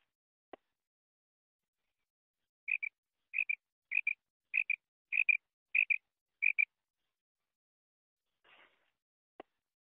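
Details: Female quail recorded in 2023 giving a run of seven quick, high double notes, each a paired chip, spaced about two-thirds of a second apart in the middle of the recording, with sharp isolated clicks near the start and end and a faint rasp.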